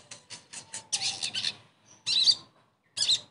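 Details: Sogon voice played as therapy to set a silent bird singing again: a quick series of scratchy high chirps, followed by two louder harsh bursts after short silences.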